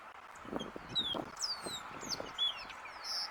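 A greyish baywing gives short, liquid whistled notes, some sliding up or down, scattered over three seconds, with soft low thumps and rustling beneath.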